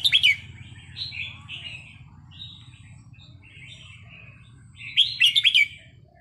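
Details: Red-whiskered bulbul training song: loud bright chirped bursts open and close the sequence, with softer warbled, slurred phrases repeated between them over a faint low hum.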